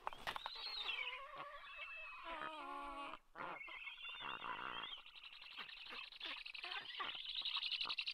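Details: Black stork at its nest on 26 August 2022 calling: a run of wheezy, hoarse whistled notes that rise and fall, broken by breathy hissing rasps, pouring out in quick, uneven bursts.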